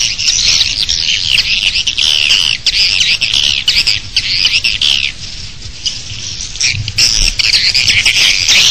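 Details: Swiftlets calling at a bird nest, recorded as an outside sound: dense, continuous high chattering and twittering chirps, overlapping and unbroken, with brief dips in loudness and no other clear sounds.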